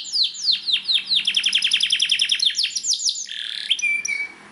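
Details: Belgian canary singing, a training song played to stimulate other canaries to sing: a rapid run of high, downward-sweeping chirps repeated several times a second, then a buzzy rattling phrase ending in a thin steady whistle.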